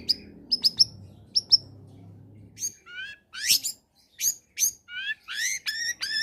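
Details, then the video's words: Long-tailed shrike singing a lively combination song meant to stimulate lazy shrikes: sharp high chips over a low hum, then repeated slurred whistles that rise or fall, coming roughly every three-quarters of a second. "Suara Asli Cendet Gacor Kombinasi.. Solusi Pancingan tepat buat cendet malas bunyi agar ikut bunyi"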